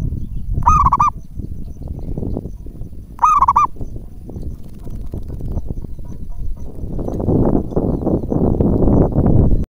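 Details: Local zebra dove used as a decoy caller to get other doves to respond: two short trembling coos in the first four seconds, then only low rumbling noise that grows louder.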